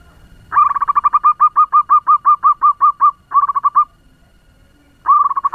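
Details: Zebra dove, a local bird used as a lure to make other doves call, in fast song: long runs of loud, quick bubbly coos, about six per second, broken by brief pauses, over quiet surroundings.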